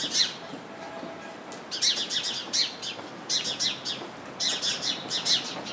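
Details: A house sparrow chirping in a bush full of house sparrows gives bursts of bright, rapid chirps, several in quick series with short pauses, against a quiet background.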